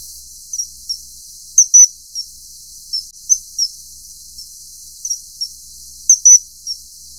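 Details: Common kingfisher (Alcedo atthis) filmed mating: sharp, piercing high whistles in quick doublets and singles, repeating every second or so, over a steady high hiss.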